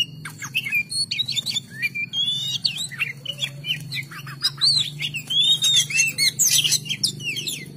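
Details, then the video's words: Gacor song of a kacer, or Oriental magpie-robin: a busy stream of twisting whistled phrases, chatters and harsh bursts over a steady low hum in the background. "KACER GACOR"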